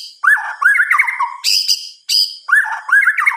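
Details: White-rumped shama singing at night: short bursts of loud, rich whistled notes, rising and falling, mixed with harsh buzzy high notes. The phrases are split by brief pauses.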